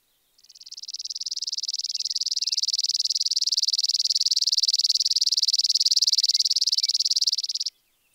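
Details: Rapid insect-like trill from a Spizella sparrow, one unbroken run of identical dry pulses at steady pitch, swelling in at the start and lasting around seven seconds.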